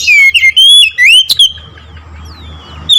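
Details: Oriental magpie-robin song of loud whistled phrases, swooping down and up in quick succession for about a second and a half, then fading into soft distant whistles over faint low rumble.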